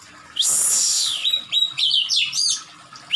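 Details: An agitated White-rumped shama with its tail fanned sings while attacking. It gives a loud, harsh, rushing note and then a varied run of rich whistles and sharp slurred phrases.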